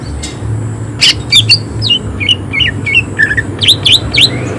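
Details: Greater green leafbird in high emotion giving harsh notes: after a quiet start, loud scratchy bursts give way to short slurred whistles, ending in a string of quick, sharp upward-flicked chirps over a low hum.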